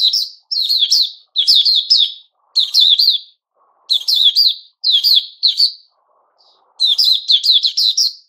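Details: White-crowned shama (Puteh Raja) in its new-feather season, recorded 6 September 2021, singing bursts of rapid, high chattering notes in short phrases separated by brief pauses, about eight phrases in eight seconds.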